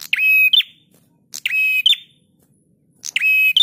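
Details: Cage-bird training recording of a prinia singing loud, raspy, buzzing phrases that each close with a short bright upward flick. Three bursts, spaced roughly one and a half seconds apart, over a quiet background.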